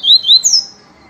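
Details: Yellow-bellied seedeater, papacapim peito amarelo, in viviti song: two quick high whistled notes followed by a longer falling, slightly buzzy note, then quiet.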